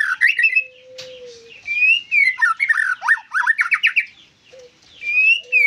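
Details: White-rumped shama delivering a varied, rich song of whistled slurs and rapid chattering notes, with a low, steady drawn-out tone in the background.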